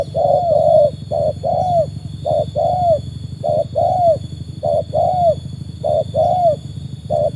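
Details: Spotted Dove trained and matched against wild birds, repeating paired coos, a brief note then a longer slightly falling one, steadily for several seconds over a loud background hum.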